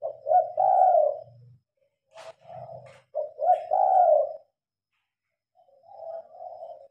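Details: Spotted dove cooing at night while the lights are on, recorded on a phone: mellow two-part coos rising then falling, several phrases with pauses, a low steady hum and a few faint clicks beneath.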